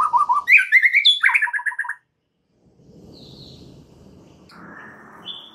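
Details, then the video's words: Rapid, jumbled white-rumped shama phrase from a lure meant to draw out full repertoire singing: quick tumbling whistles and chips for two seconds, then near silence with low room noise and a few faint high notes. "Belum 1 Menit Murai Batu anda dijamin langsung BONGKAR ISIAN dengar PANCINGAN Murai Batu satu ini"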